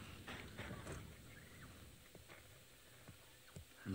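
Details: Burchell's starling in the Maasai Mara gives harsh, scratchy chattering bursts in its first second, then a brief thin whistle, over a quiet outdoor background with a voice and soft clicks; possibly an alarm call, perhaps at a leopard.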